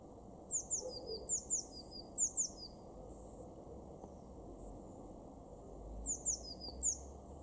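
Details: Eurasian blue tit in a garden in Weener, East Frisia, northwestern Germany, in April: high thin descending notes in small clusters, three bursts of two to three notes, over a steady low background hum.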